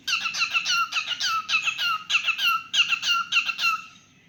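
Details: A pet cockatiel sings indoors with a steady stream of bright, squeaky whistled chirps, several each second, which fade out at the end of the phrase.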